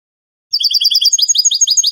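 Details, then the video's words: European goldfinch in the Spanish canto de salón style, a training recording of a caged bird: quick twittering phrases of bright, clipped notes at high pitch, then repeated rising slurred notes in a fast rhythm, on a silent background. "CD CANTO DE SALON JILGUERO "ROCKY" شريط لغة الحسون الإسباني"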